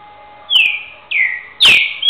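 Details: Captive two-year-old green-winged saltator from Rio de Janeiro state, a trained bird singing the boiadeiro style, averaging over 200 repetitions ending in "boi": clear whistled notes sliding downward, three in quick succession, one with a sudden loud burst.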